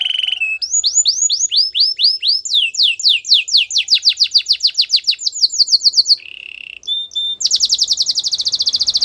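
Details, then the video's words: Canary song for training: fast series of descending whistled notes repeated several times a second, shifting through tours, then a short buzzy phrase and a dense high rolling trill. "The best canary singing video ever"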